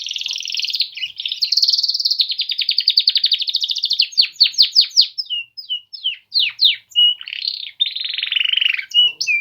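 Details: Male canaries of the Polish type sing a long rolling trill that shifts pitch, breaks into rapid falling whistled notes, then a rasping buzzy phrase and short chirps.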